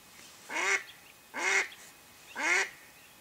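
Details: Mallard hen used as a live lure for duck hunting, giving three loud, harsh quacks about one second apart, each a broad nasal burst with stacked harmonics, over a quiet background.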